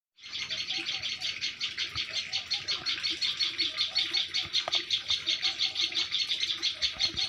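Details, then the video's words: Baby birds in a beak-sewn nest chirp in a dense, high chorus of thin, rapid notes, about three a second, running without pause, over faint low rustling. "birds chirping"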